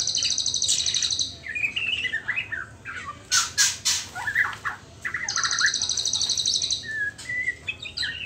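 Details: Young white-rumped shama, still at the speckled juvenile stage, singing a jumble of quick rising and falling whistled notes and chirps, with sharp broadband clicks midway and a continuous high buzzing drone in the background.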